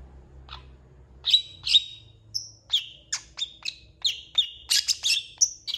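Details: Long-tailed shrike singing on a tutor recording for champion shrikes, said to copy cats and chickens; varied whistles and clipped chirps at an irregular, fairly quick pace, some notes high and thin, others lower and slurred.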